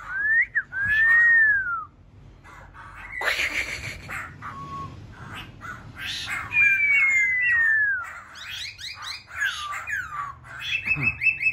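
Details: Wild-caught laughingthrush producing loud arched whistles and slurred phrases, broken by a harsh noisy burst and scattered clicks, with a low background rumble.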